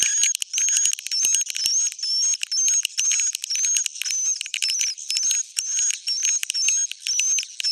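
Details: Swiftlets in an old-style "jadul" recording, rapid buzzy chirps repeating about twice a second, with a thin high whistled tone sliding through them and short sharp clicks.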